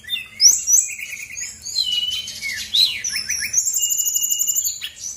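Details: Lure song of a female brown-chested jungle flycatcher from Bali, played to set lazy birds singing: bright whistled swoops and chattering phrases, ending in a long, fast, even trill.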